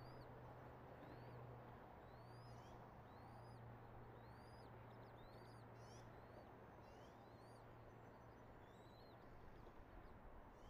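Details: Eagle at its nest in Redding on 24 March 2022, early morning at 06:34, giving a long series of faint, high, rising whistled chirps in quick succession over a constant low hum and noisy background.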